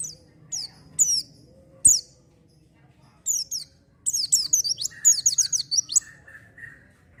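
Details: Oriental white-eye in energetic song, used to coax untrained birds into singing: bursts of very high, thin, rapidly falling chirps and twittering trills, with some lower short whistled notes near the end and a low background hum.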